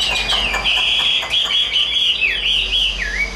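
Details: Caged, hand-tame Chinese hwamei in full song. A sustained, quavering whistled warble holds a steady pitch, then dips in several quick slurred drops near the end.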